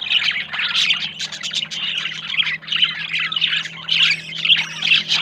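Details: Two budgerigars, yellow male and blue female, courting as a pair and seeking a nest, chatter loudly and without a break in raspy squawks and quick chirps over a low steady hum.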